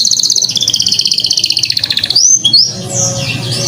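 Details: Canary singing, a master recording meant to get other canaries singing: a rapid high trill of repeated notes, stepping down in pitch, then short rising whistles and varied warbling.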